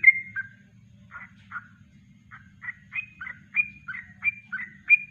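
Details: Yellow-vented bulbul singing its natural kongslet-style song, a master recording for training birds: short bubbly warbled phrases, quiet at first, then louder rising and falling notes about every third of a second, with a low steady hum underneath.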